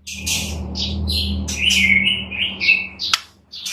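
White-rumped shama pouring out a fast, varied string of clear whistles, chirps and trills, high and changing every half second, over a low steady hum.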